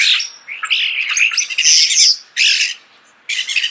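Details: Starling heard at close range giving loud, raspy, broadband squawks in three bursts, the first long and wavering, the later two short and harsh.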